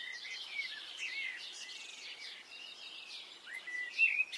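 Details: Birds singing on a spring morning in Brittany: several overlapping, high twittering and warbling songs with whistled slurs, rather distant, and one louder bright chirp near the end.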